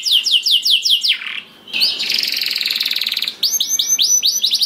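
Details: Canary singing as a lure to make other canaries sing: a fast series of high rising-falling whistled notes, then a dense buzzy rolling trill, then more repeated upswept whistles.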